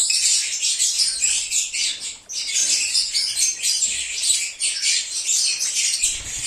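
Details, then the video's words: Lovebirds chirping and singing as a recall lure for an escaped lovebird: unbroken, busy high-pitched twittering, many overlapping sharp squeaks and tweets throughout. "SONIDO DE AGAPORNIS. Reclamo ,cómo canta un Agapornis o INSEPARABLE."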